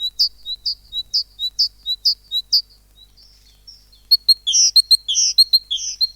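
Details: Singing tit from a children's bird lesson: a steady run of high paired notes, a short pause, then a denser burst of bright, overlapping high chirps.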